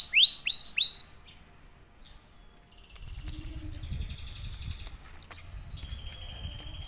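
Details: Silver salju canary in strong breeding condition singing: three loud upswept whistled notes in quick succession, a short pause, then long sustained pure tones that step between pitches, with faint buzzy notes over a low rumbling background.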